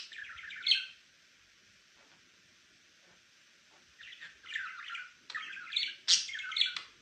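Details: Pet male budgerigar chirping: a brief bright chirp burst near the start, a silent pause, then a rapid run of scratchy, warbling chirps and sharp high notes over the last three seconds.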